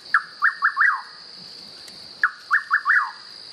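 A Rufous Nightjar sings a soft chuck and three quick whistled notes, the last slurring downward, repeated about every two seconds over a steady insect hum.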